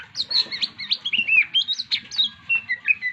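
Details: Caged white-rumped shama, described as stressed and being coaxed to sing again, giving a rich varied song of quick whistled slurs and rising and falling notes in rapid succession, with faint low background noise.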